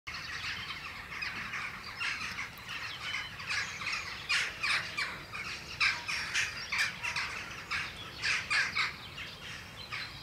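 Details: Western jackdaws on the weather vanes of Ringenberg Castle during a morning visit, recorded with a Sony FDR-AX100 camera; dense, overlapping short sharp chattering calls, several birds calling at once in bursts, with a steady hiss of outdoor background noise.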